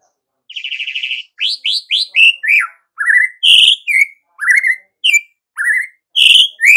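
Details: Lively white-rumped shama song for morning use: a buzzy steady note followed by a string of loud whistled upslurs and rich notes, varied and spaced by short gaps.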